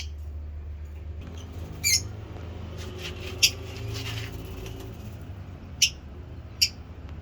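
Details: Lovebird chirps: four short, piercing high chirps spread over several seconds, with scattered faint squeaks and a low steady hum in the background.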